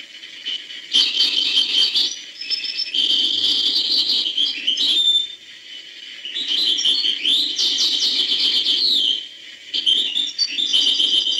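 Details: European goldfinch delivering hbal-style song in three long bursts of fast, jingling twitters and buzzy trills, separated by brief pauses, with a few soft low knocks between phrases.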